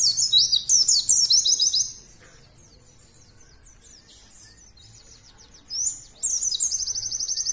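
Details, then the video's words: White-eye lure song to set other birds singing: about two seconds of dense, high chattering notes and quick trills, several seconds of near silence, then a rising whistle leading into a fast, steady high trill. "Pancingan Pleci Ampuhhh,,, Cepat Ngeplong Dan Bongkar isian!!!"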